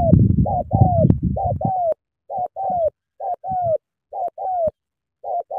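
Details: Spotted dove from Cà Mau cooing keenly: double notes, short then long and downslurred, repeated about six times, noisy low rumble at the start then clearer phrases.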